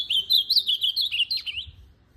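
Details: Full phrase from a tournament ultramarine grosbeak: close to two seconds of fast, tumbling whistles, melodic and varied, ending in a short downward flourish.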